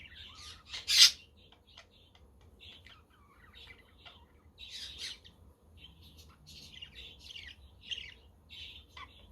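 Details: Budgerigars chattering on a windy, sunny day, with a quaker parrot and a conure somewhere in the background: high, scratchy chirps and short warbles come in irregular bursts, with one loud harsh squawk near the start.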